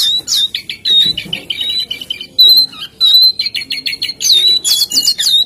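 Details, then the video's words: Jongkangan singing energetically: a steady high whistled note returns again and again, broken by quick chattering trills and sharp chirps in fast succession. "SUARA BURUNG JONGKANGAN GACOR"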